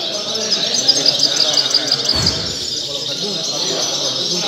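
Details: European goldfinch at a singing contest, singing a rapid, high, tinkling twitter of quick repeated notes over steady background hiss, with people talking nearby.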